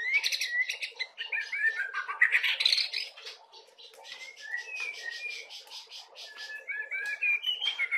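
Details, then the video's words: Young White-rumped Shama (murai batu trotolan) singing a rich, varied song of whistled phrases and rapid chattering notes, sliding up and down with short trills and buzzy bursts throughout. "Burung Murai Batu Trotolan suaranya udah kaya gini isiannya"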